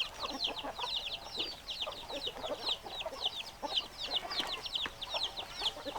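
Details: Chickens in a busy flock: a steady stream of high, quick chirping notes dominates, with softer low clucks underneath and occasional sharp clicks, unbroken from start to finish.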